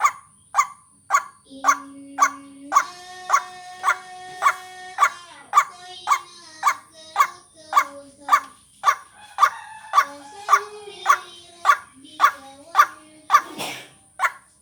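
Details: White-breasted waterhen lure call for vocal training: harsh clipped notes repeated about twice a second in a steady run. Long drawn-out tonal whistles overlap the notes, and a thin high whine runs throughout.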